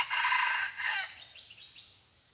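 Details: Red junglefowl crowing during decoy luring of wild birds, said to crow only twice: a brief, harsh, broken crow of about one second, followed by a few faint high chirps against a quiet background.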